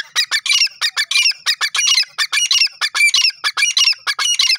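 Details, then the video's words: Grey francolin calling in jungle: loud, harsh, high-pitched squawking notes in rapid rhythmic runs, repeated without pause throughout. "lovely jungle teetar ki awaz"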